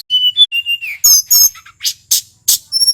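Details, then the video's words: Male tledekan gunung, a wild local bird from Merapi, in full song: a few short level whistles, then a falling slur, then bursts of buzzy high chirps and sharp clicks. "Suara asli tledekan gunung merapi FULL GACOR"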